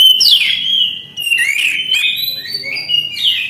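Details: Continuous song of an Orange-headed thrush: one flowing phrase of sustained whistles with quick upward and downward slurs and brief, buzzy flourishes.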